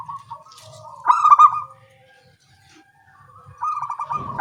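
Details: Zebra doves calling in turn at daybreak, local birds: a loud rippling burst of staccato coos fades into a quieter trailing note, a short pause, then another bird answers with a fresh bubbling phrase.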